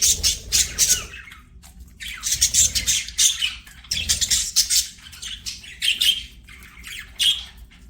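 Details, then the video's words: Pet budgies chattering as they play, a busy stream of high scratchy chirps and squawks arriving in bursts of about a second, separated by brief quieter gaps. "BUDGIES SINGING PLAYING"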